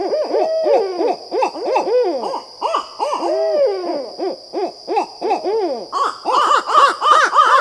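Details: Barred owls in an excited bout of dense, overlapping arched hoots and slurred cackling notes, rising and falling almost without pause, growing harsher and noisier near the end, over a faint high whine.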